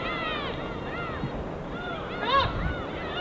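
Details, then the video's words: Several gulls over the East Sea in winter give overlapping nasal, arching mewing calls, with one louder cry near the end, over a steady low wash of gentle waves. "갈매기와 잔잔한 파도소리"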